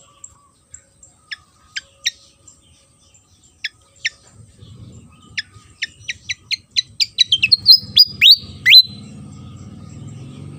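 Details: Javan fantail in lively song: spaced thin high notes quicken into a rapid series and end in bright sliding whistles. A low rumbling noise rises behind the later part.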